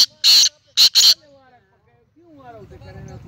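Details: Calling black francolin (kala teetar), dated 19 April 2020: three loud scratchy bursts, one longer and then a quick double, followed by a pause and faint murmuring voices.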